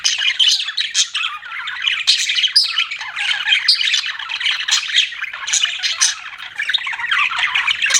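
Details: Pet budgerigars chirping continuously in a dense overlapping chatter of rapid warbled and squawky notes, mostly high-pitched, with no pause across the stretch.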